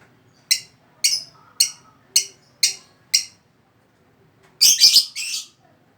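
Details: Lovebird giving sharp, shrill chirps repeated about every half second, then a quick burst of several harsher squeaks near the end, over a faint low background hum.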